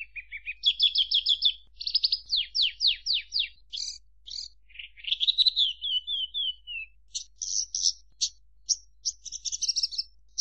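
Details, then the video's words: Branjangan or Javan bush lark in full song: fast rhythmic trills of repeated downslurred notes, buzzy bursts, a descending whistled run and sharp clipped chips, delivered in quick succession without pause. "Suara Kicau Burung Branjangan"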